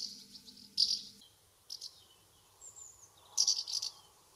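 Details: Common house martins circling their nest site in a UK summer, giving short, dry, rattling chirps in three clustered bursts, with a thin high whistle sliding down between them and a faint low hum early on.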